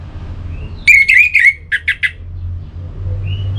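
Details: Singing Orange-headed thrush, a recording used to prompt singing: a warbled whistled phrase followed by three short, rough notes, all within about one and a half seconds, with steady low background noise.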